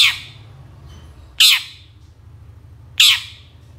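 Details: Long-tailed shrike recording played to coax reluctant birds into singing: three loud, harsh, noisy squawks spaced roughly one and a half seconds apart, each a broad burst sliding downward, with low hum between.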